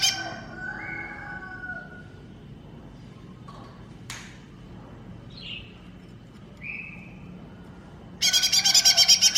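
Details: Green leafbird (cucak ijo mini) in masteran song: scattered faint whistles and a sharp click amid long quiet gaps, closing with a loud, fast, pulsing buzzy trill.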